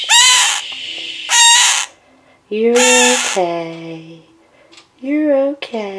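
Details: Captive male scarlet-chested parakeet with his mate close by gives a few harsh, rasping cries, spaced between stretches of a woman speaking softly to him.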